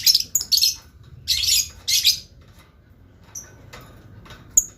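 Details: Blue lovebird chattering actively; loud shrill buzzy chirp bursts in the first two seconds, followed by quieter short high notes and a final sharp chirp.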